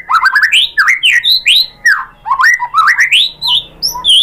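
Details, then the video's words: Murai batu, the white-rumped shama, singing a lure song meant to draw replies from other birds: loud, varied phrases of rising and falling whistles, fluty swoops mixed with quick high chips, delivered in a continuous rush. "MURAI BATU jadi Gampang NYAUT GACOR BONGKAR MATERI ¦ PANCINGAN MURAI ¦ SHAMA BIRD"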